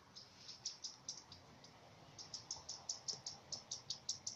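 A common redstart gives its alarm call: short, high, thin notes repeated two or three times a second in two runs, over a faint background hiss.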